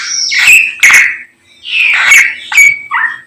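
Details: Samyong in the morning producing spaced, loud whistled notes with harsh edges, a pause after the second one, then two more bursts and a falling final note.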